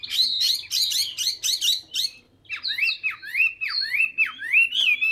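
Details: Hwamei song: a fast series of high, buzzy trilled notes, a short pause, then about ten clear, ringing whistles that slur down and up, repeated in steady succession.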